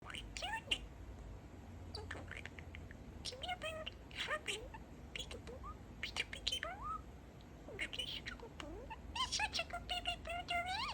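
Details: Pet male budgerigar chatting indoors, mimicking speech and saying a favorite phrase, 'Peeka-boo', altered to 'Peek-e-boo'; high, nasal speech-like syllables with rising and falling chirps, scratchy bursts and short warbles scattered through.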